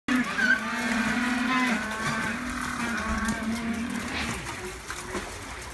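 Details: Humboldt penguins at Marinpia calling as a keeper comes out with food: a loud, drawn-out harmonic braying that holds steady for nearly two seconds, then continues more softly, with blurred background noise.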